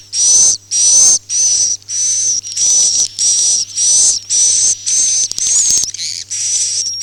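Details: Swiftlet call of the Akau ngaji type: sharp, hissy chirps with a high whistled core, around ten bursts in quick succession, the final ones softer, with a faint hum throughout.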